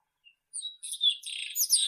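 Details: Irania gutturalis, the White-throated robin, singing: a short lead note, then a dense, scratchy burst of high twittering that grows more intense toward the end.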